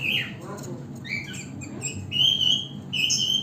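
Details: Baby green opaline lovebird kept in an aviary, giving a few short, high, thin chirps that rise to drawn-out whistled notes in the second half, over a low background hum.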